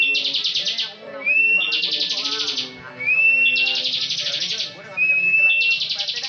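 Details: Competition bar-winged prinia in lively full ngebren song: each phrase opens with a thin upslurred whistle and runs into a loud, rapid, buzzing trill lasting about a second, the pattern repeating steadily.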